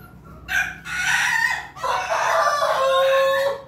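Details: Rooster from a cross between Pelung and Ketawa Bangkok chickens, in Yogyakarta, crowing: a short opening burst, a harsh middle section, then a long drawn-out final note that slowly fades.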